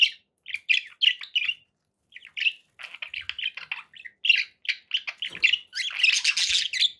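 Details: Pet budgerigars give short, clipped chirps in quick series, spaced by brief silences, building into a dense, raspy warble over the final seconds.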